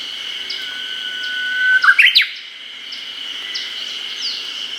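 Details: Japanese bush warbler singing in an early-summer forest in Hokkaido, recorded with a Nikon COOLPIX P950: a long, level whistled note lasting about a second, then a quick rising flourish of sharp notes, over a steady high insect drone.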